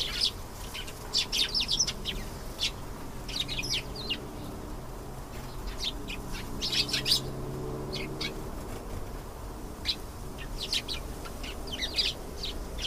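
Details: Canary song of scattered bursts of high chirps and quick trilled notes with gaps between, over a steady low hum and faint tonal background noise.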